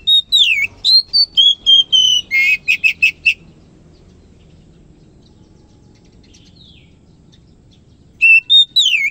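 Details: Morning song of an Oriental magpie-robin: a rapid series of loud whistled notes, some sliding down, others held level, ending in buzzy rasping notes, then a long quiet gap before another falling whistled phrase.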